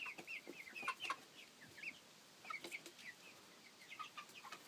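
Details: Thirteen seven-week-old chicks of mixed breeds (Copper Maran, Welsummer, Black Ameraucana, Barred Plymouth Rock), noisy and happy, raised naturally: a busy chorus of short high chirps and peeps overlapping constantly.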